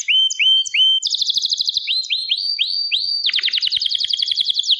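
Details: Canary singing clear upslurred whistles in groups, a buzzy trill, more rising notes, then a long rapid rolling trill to the end.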